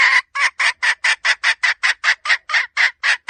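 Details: Hen red junglefowl repeating about fifteen short, raspy clucking notes at a steady, quick pace, each harsh and broad, with clean silence between notes.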